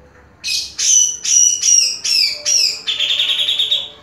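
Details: Caged grey-cheeked bulbul delivers a string of six loud slurred whistles, each falling in pitch, then breaks into a fast buzzing trill lasting over a second, with a faint low hum behind.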